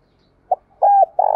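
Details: Spotted dove call used to stimulate a male to coo: a short soft note, then a loud steady hooked coo and the start of a buzzy note.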